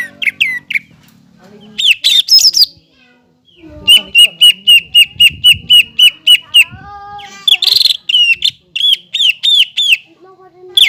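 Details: Greater green leafbird singing energetically in captivity to prompt untrained birds: varied whistles and a buzzy burst, then a long steady series of crisp repeated notes, followed by looping whistled phrases.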